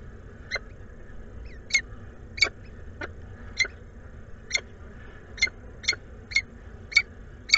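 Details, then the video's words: Peregrine falcons at Włocławek Anwil nest site, 12 May 2022, exchanging food between the pair: short, sharp, high calls about ten times at uneven half-second to one-second intervals over a steady low hum; peregrine falcon. "sokół wędrowny"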